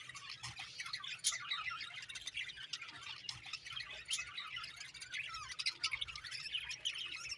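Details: Beautiful budgies chirping in a busy, overlapping flock chatter of thin squeaky notes and buzzy warbles, with a few sharper clicks and a faint low hum.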